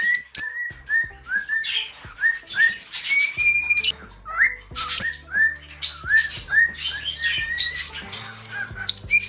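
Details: A pet cockatiel in its own room at home, a household with many pets, whistles a run of short, clear, rising and falling notes, about two a second, broken by harsh squawky bursts, over a faint low hum.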